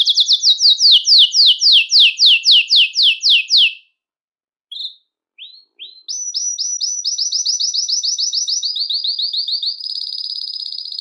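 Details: Belgian canary, song to attract and call canaries: loud descending chirped notes repeated about every quarter second, a short pause with a few upslurs, then a long fast high trill shifting slightly lower.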